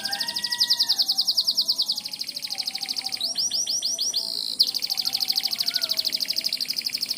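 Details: Canary in morning song, linked to calling the rain: a long fast trill, a run of swooping slurred notes around the middle, then another rapid, very regular high rattle.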